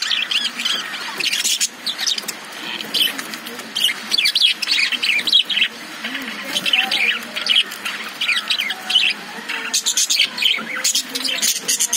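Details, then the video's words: Caged lovebirds chirping, with budgies also in the cage: dense bursts of short, high, scratchy chirps and squawks, coming in busy clusters with brief lulls, several birds calling at once. "Love birds sound"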